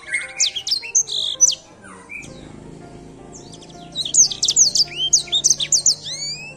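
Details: Edelsänger bird in song: a short volley of high whistled notes, a quiet gap of about two seconds, then another fast burst of sharp slurred whistles and sweeping notes.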